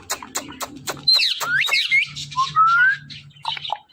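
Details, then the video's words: Pet ring-necked parakeet, a talking parrot, calling at home: curving whistled notes and a rising whistle, mixed with clicks and tapping, low background hum throughout. "Talking Parrot Conversation In Natural Voice"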